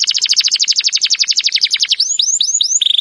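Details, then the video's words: Canary giving a training song: a rapid, rhythmic trill of about ten notes per second, followed by three looping swept whistles and a brief flat buzzy note. "Birds song Canary ❗suara Burung Kenari !!"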